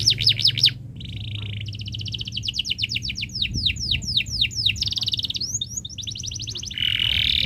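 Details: Canary song serving as a tutor recording for young birds: zigzag whistled sweeps, a buzzy rolled trill, long runs of fast descending chirps, and further buzzy rolls ending in a steady warble.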